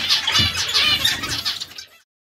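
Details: A brief burst of zebra finch twittering, buzzy and nasal with stacked tones, fading out after about two seconds.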